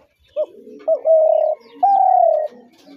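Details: Spotted dove coo phrase: two short opening notes, then a sustained flat coo and a slightly higher, gently falling final coo, with soft low background notes.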